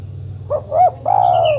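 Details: Female spotted dove calls to a male with one clear phrase: two brief rising hoots then a longer, level, slightly descending coo, over a soft low hum.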